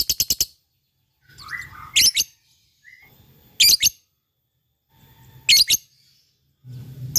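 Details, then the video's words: Lovebird of fighter type in full ngekek form, here giving short separate bursts: a quick run of four sharp high chirps, then brief shrill clusters spaced roughly every two seconds, with quiet gaps and soft low rustling between them. "LOVE BIRD FIGHTER full ngekek GACORR"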